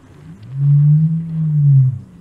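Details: Somali ostrich (Struthio molybdophanes) song: a deep, steady boom lasting about a second and a half, very low and resonant, with almost nothing else heard.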